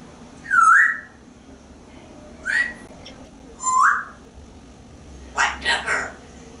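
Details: A pet male African grey parrot living indoors in Texas, hatched in 1997, known for talking. Three clear rising whistles spaced about a second and a half apart, then a quick run of three speech-like syllables.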